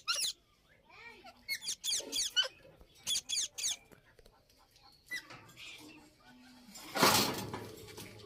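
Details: Indian ringneck parrots during breeding, giving a quick series of sharp, buzzy notes with rising-and-falling inflections, about a dozen in three seconds, then quieter scattered notes and a loud burst of rustling noise near the end.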